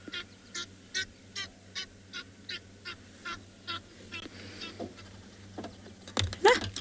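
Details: Egyptian geese, described as not happy, give a steady run of harsh, rasping honks, about three a second, over a low hum, ending in a brief loud scramble; cold morning, 7 July 2021, at a drainage line in a South African game reserve.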